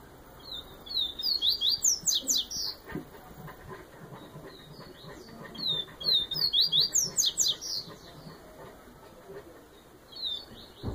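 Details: Yellow-bellied seedeater, a Bahian form, singing the Viviti song style: two bouts of rapid, high, slurred whistled notes, about two per second, over a broad background hiss.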